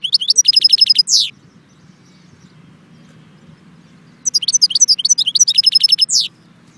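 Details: Two quick phrases of European goldfinch song from Jbel Wahch in Constantine, Algeria: high, tinkling twitters, each ending in a falling buzzy note, separated by about three seconds of low background rumble.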